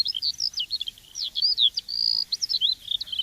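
A small bird chirps rapidly in high, thin notes, some rising and some falling sweeps, run together into a lively twittering stream with no gaps longer than a moment.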